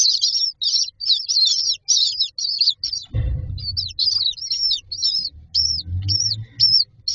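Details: Common myna chicks waiting for food in a nest box give repeated harsh high rasping begging notes, later separating into arched squeals, while a low rumbling thud sounds midway.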